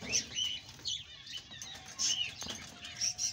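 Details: Male Australian budgerigar chattering in short bursts of bright, high chirps and squeaky twitters, with brief pauses between each burst and soft wing flutters.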